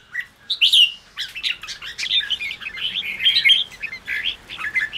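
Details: Red-whiskered bulbul in excited chattering song: an upswept whistle opens, then a busy stream of warbled chirps and short whistles runs almost unbroken to the end.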